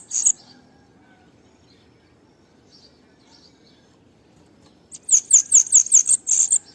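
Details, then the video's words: A bananaquit gives a short high note, falls quiet with faint twitters, then delivers a fast string of shrill, clipped high notes lasting nearly two seconds. "UM luxo o canto do sibite"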